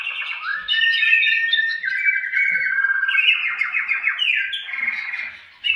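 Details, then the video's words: Male canary singing while other caged males answer with song, meant to stimulate breeding: a continuous bright run of fast rolling trills and chattering rattles that shift up and down between phrases, steady and loud throughout. "تغريد فحول كناري"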